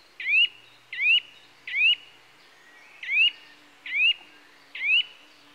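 A Eurasian nuthatch gives six loud, rising whistled notes, each quickly upslurred, in two groups of three, with a faint background hum.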